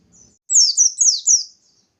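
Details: Lure song of a bustomi white-eye in full voice, meant to set other white-eyes singing: a soft opening note, then four bright, very high slurred phrases sliding downward, run together over about one second.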